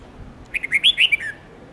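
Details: Song of a red-whiskered bulbul, played to make young white-cheeked birds learn many-voiced songs. A lively phrase of about six slurred whistles, loudest in the middle, ends on a short falling note over light hiss.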